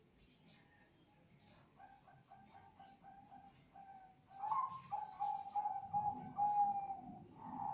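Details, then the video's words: Zebra dove of the Bangkok type: faint, quick run of short low coos for about four seconds, then louder, longer mellow cooing notes strung together, with soft clicks and light background noise. "Burung Perkutut Bangkok"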